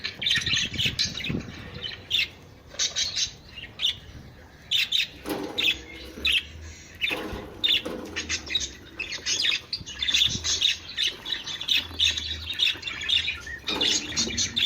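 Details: Budgerigars give mating calls, chattering busily in a flock with high warbles, squawks and rapid chirps overlapping continuously.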